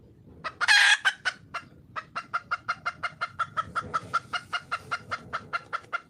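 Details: Calling for a male, a wild red junglefowl hen opens with one loud raspy squawk, then a steady train of about twenty-five short sharp clucks at roughly four per second, fading slightly over the low rumbling background.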